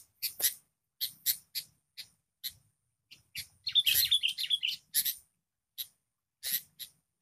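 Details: ['Wild sooty-headed bulbul confronting a lure bird during a trapping session, described as an unusually tough opponent. Bursts of harsh, scratchy chatter come irregularly, and a run of quick, bubbly whistled notes sounds mid-clip.']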